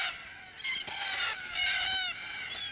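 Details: Red-tailed black cockatoos (Calyptorhynchus banksii) give harsh, rolling, metallic calls that overlap in quick succession, rising and falling in pitch, with no other clear sounds.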